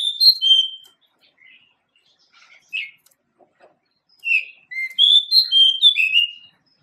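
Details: Male pied bushchat, a small songbird endemic to Asia, singing a melodious song: clear whistled and slurred notes in quick phrases, a loud opening phrase, a pause with soft scattered notes, then a rapid run of bright whistles.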